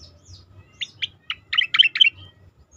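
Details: Asian pied starling song used as a training recording for competition birds: a short run of loud, clipped chirps and chattering notes building toward the end, with faint low hum beneath.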